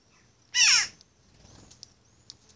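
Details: Young Western jackdaw, now independent but still fed by its father, raised in a neighbour's garden among rabbits and dogs after being found in a dangerous spot. It gives one loud, harsh, raspy call with falling overtones lasting about a third of a second, then faint clicks.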